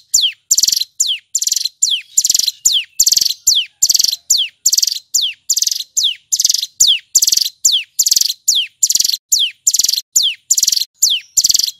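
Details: Loud, clear and long male hill prinia singing: a bright falling whistle and a stuttered buzzy trill alternate rhythmically, about fourteen cycles in twelve seconds.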